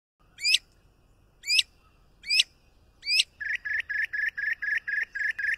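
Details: Mockingbird singing: four sharp rising upswept notes about a second apart, then a fast run of short buzzy chips repeated several times a second, in a quiet setting.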